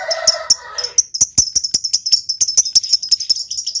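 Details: Lovebird chirping in a fast, dense run of sharp high chirps, several per second, with a brief lower warbling sound at the start and faint clicks underneath.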